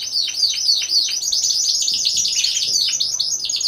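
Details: Competition song from a four-bird Timbrado Español canary team, November 2015: several voices overlap in a loud, continuous stream of quick downward-sweeping notes repeated about four times a second over a high sustained rattle.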